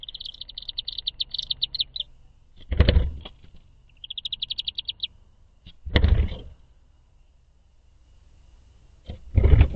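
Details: Chimney swifts arriving for the first night of the season to roost in an artificial swift tower on farmland at a nature conservancy in Valencia, Pennsylvania, 5 May 2023; rapid high chippering bursts, with loud low thumps and rustling between them.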